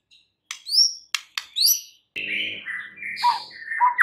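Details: White-rumped shama song for stimulating other shamas: sharp clicks and a few high rising whistles, then a continuous run of mixed buzzy and warbled notes.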